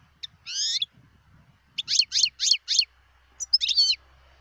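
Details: Wild European goldfinch in song, 2018: a long warbled whistle, a string of five rapid descending twitters about a quarter second apart, then a final buzzy flourish over low rumble.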